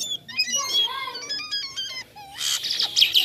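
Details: A jalak kapas starling singing energetically with a toy-like voice. It gives a quick sequence of clipped whistles and stepped notes, then a loud harsh, rasping burst near the end.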